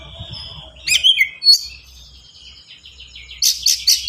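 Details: Oriental magpie-robin's dense, varied song with unusual fill notes, kept as a master for young birds: falling whistles, a sharp shrill burst, a long thin trill, then three loud harsh notes at the end.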